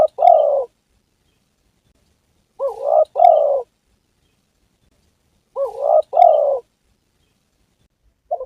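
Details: Spotted dove calling, a recording meant as a lure for hunting and trapping: a buzzy double coo, the second part falling, repeated roughly every three seconds in a regular rhythm against silence.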